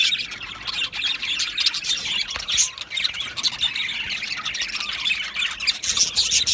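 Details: Chirping colony of Australian budgerigars in an aviary on 12 July 2025: a continuous, scratchy high twitter with scattered squawks and occasional sharper peeps above the chatter.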